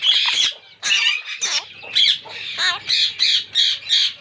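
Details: Two monk parakeets (Quaker parrots) meeting in their first season give loud, harsh, grating squawks repeated about once a second, some with wavering warbled notes, fairly even rhythm throughout.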